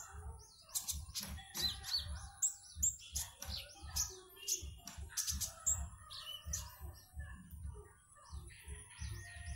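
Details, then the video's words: Konin kept in a cage in Singkawang, West Kalimantan, singing for an online contest: sharp high twitters and short sweeping whistled notes, roughly fifty phrases a minute, with a regular low thudding beat underneath. "LOMBA KONIN ONLINE 12 - Aksi KONIN"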